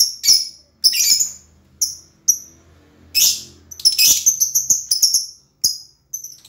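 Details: Lovebird calling with shrill, high, clipped chirps in uneven bursts, some paired, with a short scratchy chatter midway.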